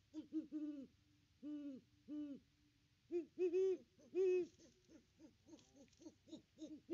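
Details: Great Horned Owls, a pair visiting their nest tree on Christmas Day 2021, filmed by a nest cam: soft deep hoots in short groups, then louder overlapping hoots in a quick uneven run.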